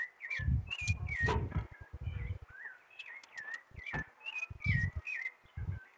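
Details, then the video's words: Thrush (sabiá) singing as spring arrives, giving clear whistled phrases that slide up and down, repeated in short bursts, with low thumping handling sounds beneath. "Sabia cantando com a chegada da primavera"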